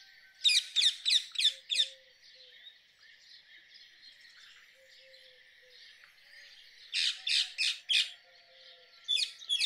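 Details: Rose-ringed parakeet calling in rapid bursts of four or five shrill, grating screeches, two long runs separated by a pause, with softer bird chatter and faint whistles behind.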